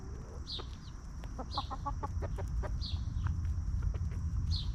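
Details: Free-range hens roaming a backyard farm, scratching in dirt and snacking, cluck peacefully: short soft clucks in quick irregular bursts, a few higher squeaky notes, over steady low rumbling background noise.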